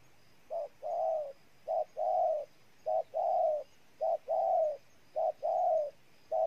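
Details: Spotted dove from Ninh Thuận province, Vietnam: evenly spaced double coos, a brief soft note leading into a louder sustained coo, repeated six times with a faint low background drone.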